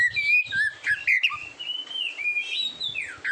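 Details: Kacer, the Oriental magpie-robin, singing in a recording meant to train competition birds; long drawn whistles, some wavering, after a few short chirpy notes.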